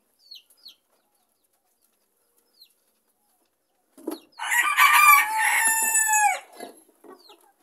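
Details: A hen, noisy because another hen is shut in to lay an egg, gives a few soft, short clucks, then a loud, harsh, drawn-out squawk of about two seconds that sags in pitch at the end.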